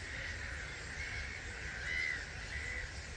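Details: At 05:45 on 21 March 2022 roughly 250,000 starlings lift off from their roost at Gibraltar Point NNR, heard from a hide. A thick wash of chattering voices, with a few brief higher whistles, sits over a soft low roar.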